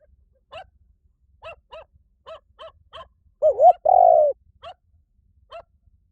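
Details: Spotted dove giving a loud low cooing phrase, a wavering double note and then a long steady coo, among repeated short, fainter yelping notes that recur about every second.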